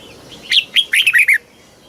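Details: One phrase from a red-whiskered bulbul in Thailand singing the southern master-phrase style for stimulating birds and teaching young: six loud, liquid whistled notes in under a second, sliding down in pitch.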